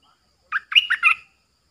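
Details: Decoy bulbul kept in a cage, recorded 13 April 2021 while luring wild birds: one quick, liquid, chattering phrase of four or five warbled notes, then silence.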